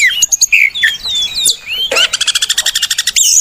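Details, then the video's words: Oriental magpie-robin song meant to lure and train pet birds: several separate whistled notes, then a sharp downslur and a rapid rattle of about fifteen evenly repeated notes, ending in a high whistle. "Pancingan dan Masteran Burung Kacer"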